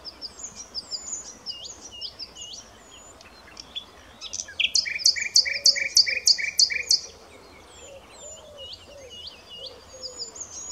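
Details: Common nightingale in full song. After quieter varied chirps, a loud phrase of about eight rhythmic, doubled, throbbing notes lasts over two seconds. Fainter twittering of other birds continues around it.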